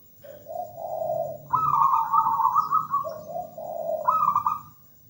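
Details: Local zebra dove in lively, melodious song: a low rolling purr, then a loud string of rapid higher stuttered coos sliding down into another purr, and a fresh bright burst of notes near the end.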